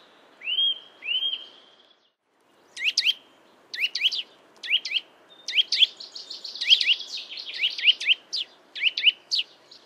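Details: Eurasian nuthatch in a yard in Joroinen, Finland: two clear rising whistles, a short pause, then a lively run of sharp, upward-flicking chwit notes, single or in quick pairs and triplets, with a brief steady whistled tone among them.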